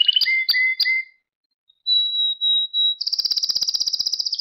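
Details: Pet canary song for song training: three short bright double notes, a pure steady whistle held over a second, then a fast high pulsing trill.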